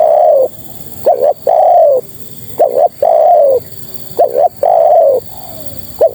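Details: Spotted dove female calling to attract males, giving four repeated phrases of two short coos then a long descending coo, evenly spaced about every one and a half seconds over light hiss.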